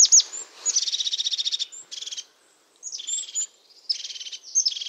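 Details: European crested tit from Portuguese pine woodland: a high thin note, then rapid pulsed buzzy purring trills broken by brief pauses, with a faint high whistle above.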